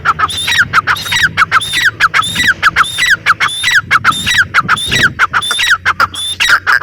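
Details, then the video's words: Grey francolin, known locally as teetar, calling loudly: harsh, squawky notes with a downward twist, delivered in a steady run of about one and a half per second, with a faint low hum underneath. "teetar ki boli | teetar ki awaaz | francolin voice | Partridge sound"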